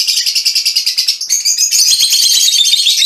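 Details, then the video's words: Mutation-colour Fischer's lovebird giving a fast, unbroken stream of shrill, high-pitched chirps, about three per second, which grow busier and more scratchy in the second half. "mutación del agapornis - mutation fisher lovebirds"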